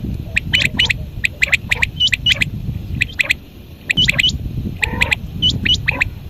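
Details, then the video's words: Quails heard at dawn giving quick bursts of bright, clicky notes with little upward hooks, grouped in rapid clusters that recur about every second, with a constant low rumble underneath. "Quail sounds | batair ki awaz | quail call | batair ki awaz | batair ki call"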